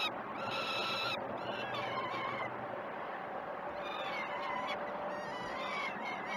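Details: Begging peregrine falcon chicks at feeding time on the Great Spirit Bluff nest ledge, 12 June 2018, early morning, live camera; bursts of rasping harmonic cries with quieter stretches between, some calls sliding downward.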